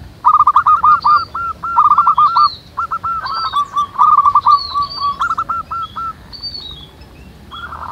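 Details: Many local zebra doves sing together in the wild, producing dense, overlapping series of short, hooked coos at a quick pace, accompanied by repeated high, thin whistles from other birds.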